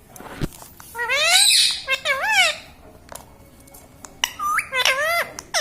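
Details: Pet parrot said to say mummy, papa and radhe. Loud wavering, harmonic syllables in two bursts, separated by a quieter gap with faint clicks and a steady background tone.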